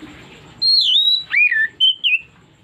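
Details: Kacer (Oriental magpie-robin) whistling a trigger phrase: sustained high tone easing down, a swooping lower note, then two clipped whistles. Low background hum throughout.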